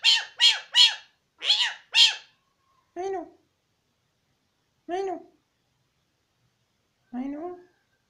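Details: Mynah talking in Pashto: five quick, high, harmonic speech-like syllables in a burst, then three lower, drawn-out voiced syllables about two seconds apart, in a quiet room.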